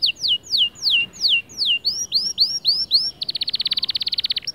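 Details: A white male canary sings bright, high phrases: a string of sweeping down-slurred whistles, then a shift to rising notes, ending in a fast buzzy trill of about twenty notes.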